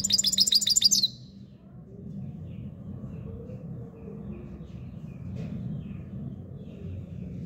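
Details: Himalayan goldfinch singing a song labelled subulata: a single one-second burst of rapid, high, bright chirped notes, then only a steady low hum with faint distant twitters.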